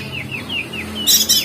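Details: Crested white-eye (opior jambul) from Lombok in ngeriwik song, recorded to get cage birds singing: five thin, evenly spaced downslurred whistles, then two abrupt harsh buzzy bursts.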